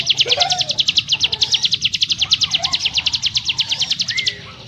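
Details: High, rapid, closely packed chips from a ciblek gunung singing 'ngebrem nembak rapat', a dense rattling style, continuing for over four seconds with faint lower whistles underneath, then a short upslurred note at the end.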